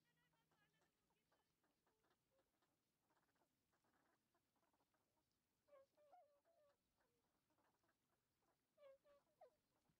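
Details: Northern pintail, male and female, calling while apparently searching for food on the water surface and gravel, 7 February 2015, recorded with a Canon PowerShot SX60 HS and external microphone; two bursts of short tonal notes over low rumble and scattered clicks.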